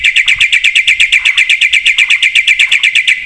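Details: Javan pied starling singing a full-content song meant for training other birds: fast regular chattering notes, about three per second, steady and bright in pitch throughout.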